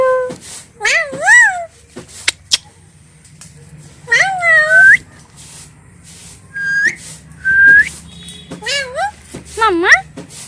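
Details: Pet talking parrots in a small room give scattered voice-like words: a wavering nasal phrase, a few sharp clicks, then clear rising whistles and more warbling syllables, separated by quiet pauses.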